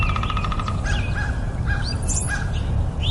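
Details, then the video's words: Nightingale singing: a pulsed rattle fades into short looping chirped notes repeated about every quarter second, then brief high upslurred whistles, all over a constant low rumbling noise. "2 minute of Nightingale"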